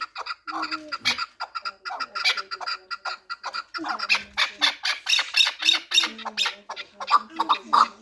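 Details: Chukar partridge from Pamir, a four-year-old fighting and hunting bird, utters excited, uneven squawking chatter. Harsh notes crowd together quickly and swell louder toward the end.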